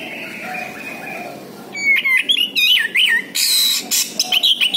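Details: Orange-headed thrush lure song: a quiet steady tone, then wavering whistles alternating with harsh, noisy bursts and sharp high chirps in quick succession.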